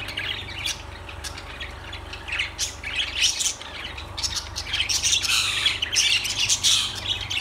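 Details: Lovebirds chattering in a dense, overlapping stream of shrill squawks and high chirps, quieter at first and then swelling into a busy burst toward the end, over a steady low hum.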